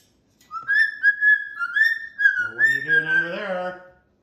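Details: A pet cockatoo whistles a chain of level, slightly wavering notes while a person's voice joins in partway through.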